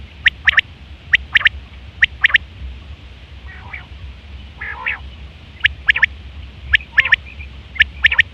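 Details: Common quail, September 2023, call for hunting and mating: crisp triple-note phrases repeated steadily, broken midway by two softer rasping bursts, then the triplets resume.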